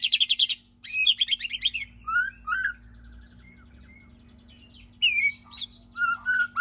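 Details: White-rumped shama singing: a rich, varied medley of quick bursts of chattering high notes, clear whistled phrases and sliding tones, broken by short pauses, with a faint steady hum underneath.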